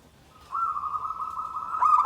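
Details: Zebra dove (perkutut) giving a steady, even cooing tone that swells louder, ending in the start of a quick pulsed phrase.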